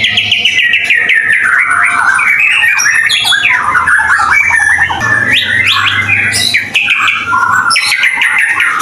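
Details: White-rumped shama in full, energetic song, a recording meant to prompt other shamas to sing: loud, rich, varied whistled phrases sliding up and down, with quick chirps and rapid trills packed closely together, over a faint low hum.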